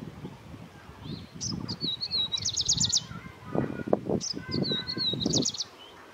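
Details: Grey-breasted prinia, a bird of India, Nepal and Bhutan: two phrases of high wavering notes ending in fast buzzy trills, with a lower faint chirping bird and low rumbling background noise.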